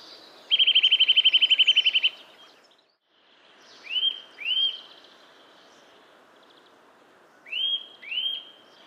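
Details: Eurasian nuthatch singing in a yard in Joroinen, Finland: a fast, even trill of about fifteen clear notes, then two pairs of loud rising whistles, over a soft background hiss.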